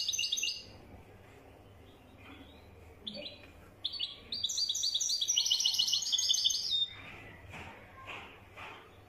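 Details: European goldfinch, wedani type, performing: a twittered phrase, a few isolated chirps, then a long bright rolling stream of tinkling notes about three seconds long before falling quiet.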